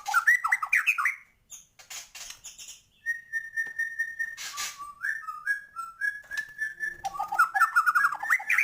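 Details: White-rumped shama in gacor song with full isian: tumbling whistled notes, a long steady pure whistle, then a string of short slurred whistles building into fast warbling.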